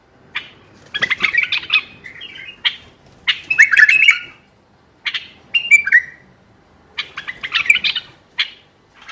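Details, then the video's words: Bulbul song meant to stimulate qafla bulbuls to sing. Bursts of harsh chatter alternate with short melodious whistled slurs, in uneven phrases spaced one to two seconds apart. "تغريد تحفيزي للبلابل القافلة ترديد صوت البلبل"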